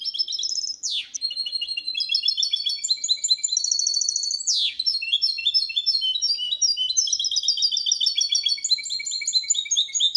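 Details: Goldfinch × canary hybrid performing a clean Malaga-style song without errors, played to encourage male goldfinches and hybrids to sing: long run of rapid, high trilled and twittering phrases broken by two sharp descending sweeps.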